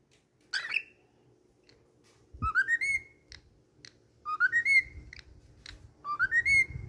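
A cockatiel whistles three times, each clear phrase climbing in quick steps to a held high note.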